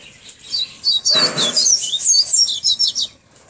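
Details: Tawny-bellied seedeater delivering a rapid series of high, sweet whistled notes that slide up and down, with a brief broadband rustle or flutter underneath near the start.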